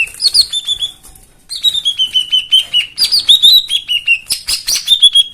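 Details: Rich, varied white-eye song meant to coax silent birds back into song: long runs of quick, bright whistled notes falling in pitch, repeated in several phrases with crisp chips.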